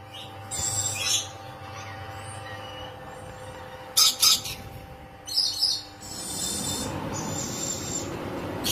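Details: Caged rainbow lorikeet mating produces clusters of quick, shrill, grating screeches in pairs and short runs, followed by a stretch of broad hissing noise.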